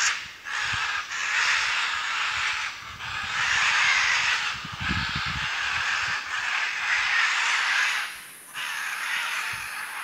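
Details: In Costa Rica, fast-flying Scarlet Macaws give loud, harsh, grating squawks in long overlapping bursts, several birds calling almost without pause.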